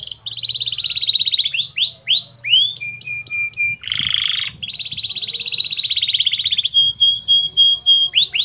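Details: Canary master song in gobat gabet style for training birds to sing: rapid rolling trills, swooping downslurred whistles, high pips over a level tone, a harsh buzzy burst, then long trills and a clear sustained whistle. A low hum runs beneath.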